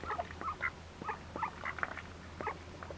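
Red-billed teal giving short, nasal, squeaky chirps in irregular bursts, several a second, over a steady low mechanical hum.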